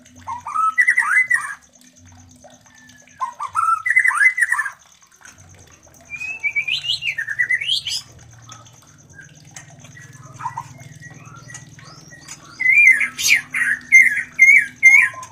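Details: Mating sounds of a white-rumped shama to stimulate breeding in other shamas: bursts of rapid chattering phrases separated by pauses, a rising swooping whistle, then loud repeated sharp whistled notes near the end.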